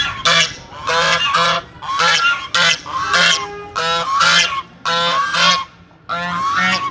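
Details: A pair of ducks starts calling on seeing a person, as they do whenever someone comes, giving loud, harsh honking calls about one every second, sometimes in quick doubles, with a faint low hum beneath.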